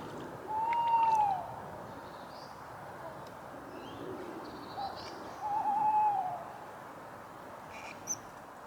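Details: Tawny owl heard at night from a solo tent camp on a wooded hill, temperatures just below freezing, Easter weekend: two long, mellow hoots about five seconds apart, each rising then falling, over steady hiss and a faint click.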